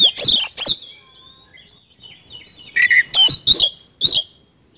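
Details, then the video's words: Kacer, or Oriental magpie-robin, in full 'isian kasan' song: loud, harsh, scratchy bursts separated by a quiet stretch of thin, high whistles, then several more sharp, sweeping whistled phrases. "BURUNG KACER GACOR ISIAN KASAN"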